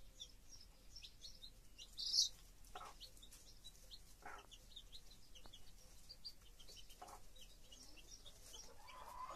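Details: Chicks near their broody hen: faint, high peeping chirps run throughout, with one sharper, louder peep early on and a few brief lower notes.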